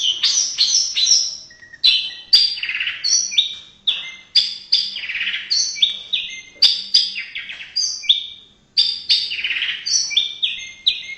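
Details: Indonesian white-rumped shama delivering loud, fluty whistled phrases that drop in pitch, with crisp clicks between repeated bursts and brief gaps separating each varied sequence.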